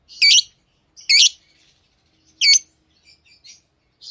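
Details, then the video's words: Three loud, shrill chirps from pet lovebirds, the first two close together and the third after a longer gap, followed by faint soft notes. "Love birds Sounds | lovebirds chirping sounds| parrot beautiful sounds"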